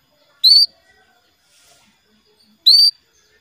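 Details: Female canary's call to the male, given as two identical bright, slightly rising chirps with strong overtones, spaced a little over two seconds apart against a quiet background.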